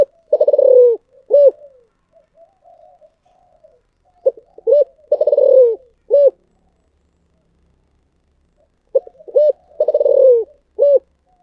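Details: Spotted dove in the Vietnamese 'thổ sấm' (thunder) voice style, giving deep, resonant cooing phrases. Each phrase is a rolling coo followed by two or three short hollow notes, repeated about every four seconds with quiet gaps between.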